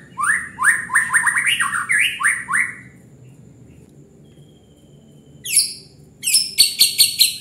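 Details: Murai batu, the white-rumped shama, in full song intended to provoke other birds: a fast string of rising whistled slurs, a short pause, then bursts of high sharp chipping notes, over faint low background hum.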